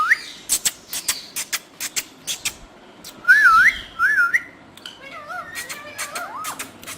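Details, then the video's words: Green talking parrots producing clicks and clipped syllables, then looping wavering whistles and a run of warbled speech-like notes rising and falling. "Cutest Green Talking Parrots Saying the Funniest Things"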